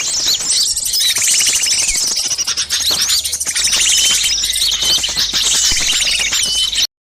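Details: Noisy lure recording of many small birds used to attract wild birds: a dense, loud chorus of high, rapid chirps, trills and twittering notes overlapping continuously, ending in a brief silence.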